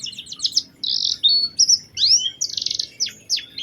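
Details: Oriental white-eye singing as a lure for other white-eyes: varied high buzzy bursts, drawn-out whistles and sharp downslurred notes in quick succession, clear and close.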